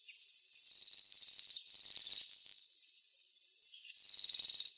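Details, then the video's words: Waxwing giving high, thin trilled calls, three buzzy trills of about a second each separated by short pauses, with no other sounds. "Свиристель. Голоса птиц"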